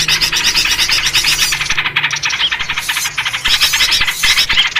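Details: Yellow-vented bulbul calls in a noisy lure recording for trapping birds. A busy stream of short, quick chirps overlaps in a dense chatter, briefly thinning midway before resuming.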